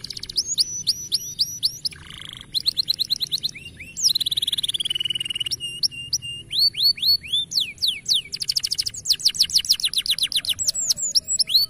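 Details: Juvenile canary in full song: quick high trills, a lower rattling burst, a long buzzy descending note, then rapid rising and falling whistled sweeps in steady rolls.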